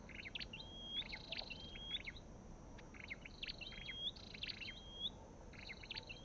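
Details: Olive-backed tailorbird calling steadily: clusters of quick sharp notes each followed by a bright rising whistle, about one phrase per second, with light hiss behind.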